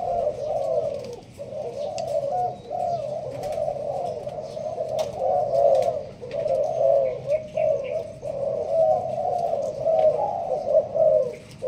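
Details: Caged spotted dove of the Malaysian line, kept in a leaf-covered cage, giving the 'thúc gù' coo in the sparse 'bài thưa' style: low, mellow, rolling coos strung into near-continuous phrases with brief pauses, faint clicks behind.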